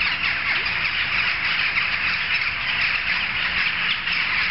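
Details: Gathering of jackdaws, heard from several streets distant, keeps up a continuous overlapping chorus of brief sharp calls, some standing out more loudly.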